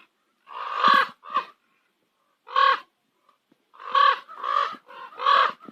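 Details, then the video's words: Harsh, hoarse croaks from common ravens at sunset on Nose Hill, Calgary, a close pair first, then a lone croak, then a quick run of four rough calls. "Calgary sunset - Nose Hill Ravens"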